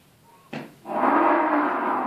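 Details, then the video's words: An Australian bustard at the Desert Park in Alice Springs, warning the recordist to stay away from his female, gives a harsh, breathy roar held steady for over a second, preceded by a brief knock. "Australian Bustard bird warning me to stay away"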